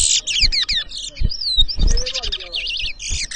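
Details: Towa towa, the chestnut-bellied seed finch, in an Edinburgh Village, Guyana whistling competition, 2023: buzzy opening notes, a clear wavering whistle, then rippling looped whistles, over low thumps and murmured voices.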